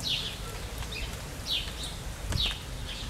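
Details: Maroon-bellied parakeets (Pyrrhura frontalis frontalis) bathing in hot Brazilian summer weather, giving short, harsh, high notes about every half second to second, some paired, over a steady low rumble and background hiss.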